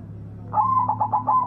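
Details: White zebra dove singing loudly, used as a lure to get silent doves to sing: a mid-pitched cooing phrase of a drawn-out coo followed by several quick stuttering coo notes, over a steady low hum.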